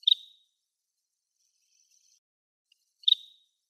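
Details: A Greater sand plover on a lawn on Yonaguni Island gives two short, sharp high chirps about three seconds apart, each with a brief buzzy tail, against near silence.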